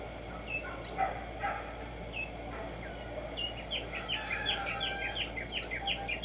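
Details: Black-striped sparrow (Arremonops conirostris), locally Tumba Yegua, singing in nature: scattered thin whistles early on, then a quick run of repeated downslurred notes building toward the end over a steady background hiss.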